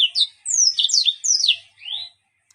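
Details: Yellow-fronted canary song said to be full of strange sounds: a short, loud run of high sweeping whistles and slurred notes, rising and falling quickly, then a final downward slur.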